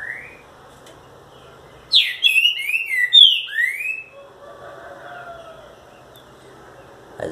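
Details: A Green-winged Saltator, not yet in full form, gives a loud, strong two-second phrase of rich, slurred whistles, with a brief whistle just before it and faint background chatter; recorded 11 July 2019.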